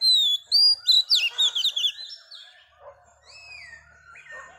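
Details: Female Oriental magpie-robin song meant to stimulate males: loud clear whistles open, followed by a quick string of looping warbles, then fading, drawn-out rising and falling whistles.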